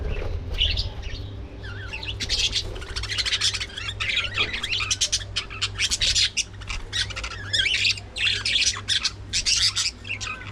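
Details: Budgerigars at early morning feeding time, a dense flock chatter of squawks, warbles and chirps overlapping continuously, with steady low hum beneath.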